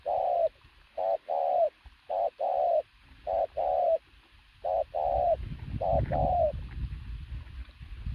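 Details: A strongly built decoy pigeon gives loud paired coos, a clipped note then a drawn-out one, repeated about once a second. Low rumbling noise takes over near the end.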